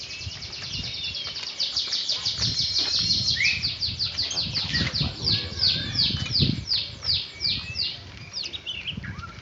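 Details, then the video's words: Oriental magpie-robin in training: dense, fast stream of sweet whistled and chattering phrases, many rapid notes repeated several times per second, with low murmuring voices and background rustle underneath. "Burung Kacer lagi latihan"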